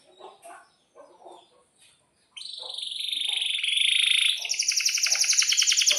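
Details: Canary in breeding condition singing a long roll: faint, low chatter, then a sudden loud, high, buzzing trill that holds steady for seconds before switching to a rapid, pulsing roll.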